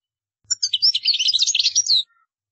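A European goldfinch sings a quick, tinkling burst of varied twittering notes, high and liquid, lasting about a second and a half, with nothing else heard.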